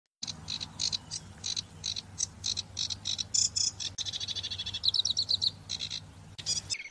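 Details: A sedge warbler (Acrocephalus schoenobaenus) in reeds sings a fast, restless, jazzy chatter of harsh, varied notes and high buzzy trills, run together without pause over a faint low hum. Sedge warbler.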